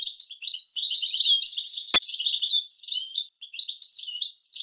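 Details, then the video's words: Goldfinch tutoring song in an approved 'language' style, recorded clean: dense high twittering with a rapid buzzy trill in the middle, one sharp click, then scattered chirps trailing off. "تسجيل صوت حسون لغة معتمدة للتعليم"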